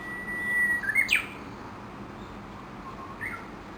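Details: Dozens of Japanese bush warblers feeding at dawn near Gakushima Bridge, Kawashima, Tokushima, Japan, under a chinaberry tree; one sings a long level whistle that bursts into a fast sweeping flourish, with a brief answering phrase after.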